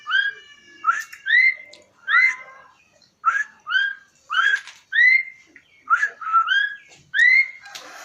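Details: Asian pied starling singing: clear whistled notes, each sliding up and then easing down, given in short pairs and triplets about once a second with brief gaps between, against a quiet background.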